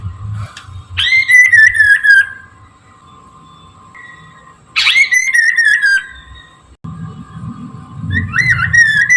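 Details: A Chinese hwamei sings in the morning, a recording used to lure birds: three separate clear whistled phrases, each starting with a sharp upslur then a wavering descending trill, spaced several seconds apart, with background rumble.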